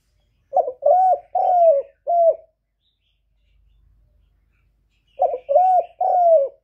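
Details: Captive spotted dove giving loud coos, recorded cleanly without other noise: a run of four short-to-long hollow coos, then about three seconds of silence, then a second matching phrase of four coos.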